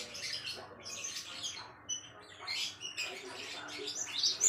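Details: Tutor song of a Java sparrow for training other songbirds: clusters of high, tinkling chirps and short whistles in uneven bursts, rising in intensity toward the close.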